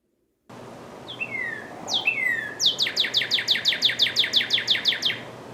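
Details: Northern Cardinal song in Ontario, Canada, a song given by both males and females in the breeding season: two clear, slurred whistles dropping in pitch, then a fast run of about a dozen short, bright chip-like notes, three each second.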